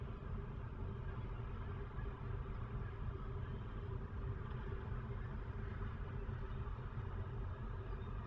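A steady low rumble of an idling vehicle engine runs throughout, with no animal sound heard.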